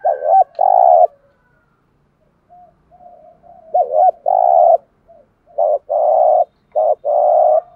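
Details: A lure spotted dove calls to excite other doves with repeated phrases. Each phrase is a quick looping coo leading into a longer droning coo. There are three phrases with short soft notes between them and a clean, quiet background.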